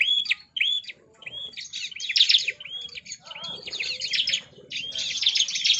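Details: Javan sunbird in an aviary, worked up and singing hard: bright, very high rising-and-falling chips repeated quickly in short bursts, broken by brief pauses, with faint lower twittering underneath.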